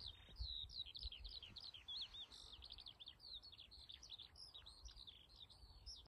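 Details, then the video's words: A single skylark sings a continuous, high, fluttering stream of quick chirps and warbled trills without pause, with faint low rumbling noise beneath. "Single Singing Skylark"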